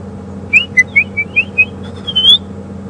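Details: A robin calls on an August 27, 2015 afternoon drive at Djuma Game Reserve, at the edge of a tambuti glade: a quick run of clear, sweet whistles at varying pitch ending in a rising slur, over an idling engine.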